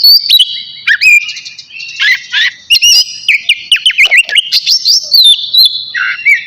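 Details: Navy oriental magpie-robin singing eagerly before bathing, delivering rich rising and falling whistles interleaved with rapid scratchy trills and sharp chips in an unbroken, varied flow.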